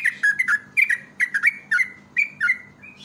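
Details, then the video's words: Yellow-vented bulbul giving quick, bubbly chirping phrases of mid-pitched notes, roughly one burst every half second, over a faint low hum; used as a lure call for other bulbuls. "PANCINGAN BURUNG TRUCUK PALING YAHOOD"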